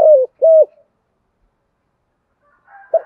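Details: Spotted dove in thổ voice style: two deep coos, the first sagging downward and the second level, then a pause with a faint higher call and the start of another short coo.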